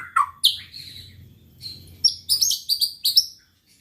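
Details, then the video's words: White-rumped shama lure song for rousing rival birds, quieter here: a few falling whistles and high buzzy notes, then a quick run of sharp chips over a soft low hum. "pancingan muraibatu gacor bikin murai lawan dengar AUTO EMOSI TINGGI"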